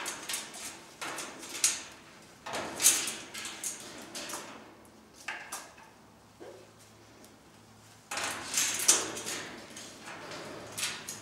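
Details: Cockatoos in family life; loud, rasping screeches come in irregular clusters, with a quieter gap mid-way before another burst of harsh calls, in a small indoor room.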